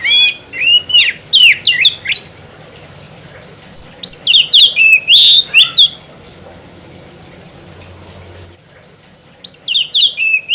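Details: Oriental magpie-robin singing in loud, continuous form: bursts of rich whistled and buzzy notes with sharp upward and downward slurs, three phrases separated by pauses of about two seconds, quiet low hum between.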